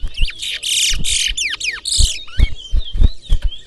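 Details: Towa towa (chestnut-bellied seed finch) singing during a head-to-head singing competition in Berbice, Guyana: bright whistled phrases and steep slurred sweeps, interrupted by short harsh noisy bursts, with thumps, voices and music in the background.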